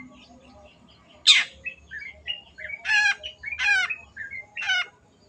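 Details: Long-tailed shrike singing 'gacor': one piercing falling screech, then short whistled notes and three nasal, buzzy squawks in a loose series.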